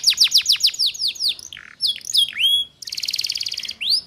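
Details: Canary song played as a lure to teach young canaries to sing: rapid repeated downward-sweeping notes, a few looping whistles, then a dense buzzy trill and a final upslur.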